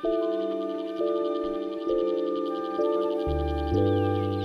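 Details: Ambient synthesizer music with sustained chords changing about once a second, with no animal calls.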